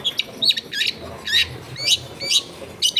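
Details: Long-tailed shrike recorded at home in a busy residential area for warming up other shrikes: sparse, sharp high chips and short rising whistled notes spaced about half a second apart over faint background hum.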